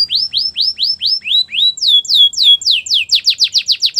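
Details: Singing canary, song meant to woo other canaries and used for training: rapid series of bright, sweeping whistled syllables repeated in changing tours, speeding up into a fast rolling run at the end.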